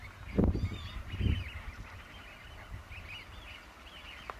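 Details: Eurasian wigeons, winter residents at RSPB Ouse Washes, UK, in October 2013: several short rising-and-falling whistles, some overlapping as from a flock, with two heavy low thumps of wind or handling noise early on.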